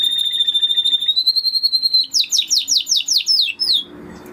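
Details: Spanish Timbrado canary singing a long pure whistled note that steps slightly higher, then a run of quick descending slurred notes, ending in a soft rustle.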